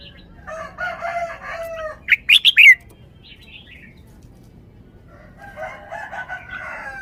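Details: A caged red-whiskered bulbul sings a forest-style song phrase of four rapid, bright whistled notes mid-recording. A rooster crows loudly before and after.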